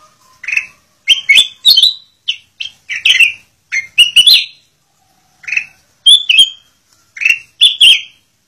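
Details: Song of a Black-crested bulbul intended for training captive birds, made of crisp whistled syllables grouped in short bursts, a few ending in an upward slur, separated by a longer gap midway through a silent background.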